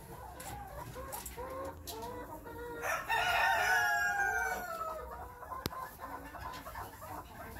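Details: Pen-raised chukar partridges, some for breeding next spring and some for meat, give a run of short clucking notes rising in pitch, building into a louder, drawn-out harmonic call mid-clip before dropping back to scattered chucks.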